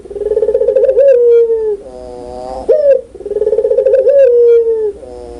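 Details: Loud, clear cooing from a puter pelung (Barbary dove): two phrases, each with a pulsed, stuttering build-up into a drawn-out descending coo, separated by a short reedy, nasal note with a sharp upward flick.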